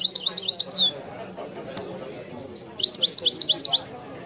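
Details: European goldfinch in the authentic Wiidani style: a fast twittered phrase, a short pause broken by clicks, then sharp whistles opening another quick series of repeated bright notes.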